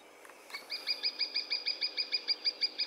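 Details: Lesser spotted woodpecker in riverside woodland giving its characteristic call: a steady series of about fourteen high, thin, evenly spaced piping notes, repeated several times a second, over faint background hiss.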